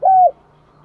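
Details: Single short level coo from a spotted dove used as a decoy to lure doves, with a faint steady low hum continuing afterward.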